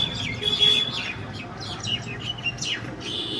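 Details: Mynas fighting in the middle of a street give harsh, chattering calls mixed with sharp whistles and squeaks, tumbling quickly over one another during the squabble.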